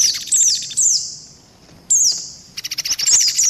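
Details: White-eye lure call, part of a mixed lure set combined with mantenan and pelatuk beras. Thin, high chirps slur downward in short bursts, separated by pauses, with a quick stuttering series near the end.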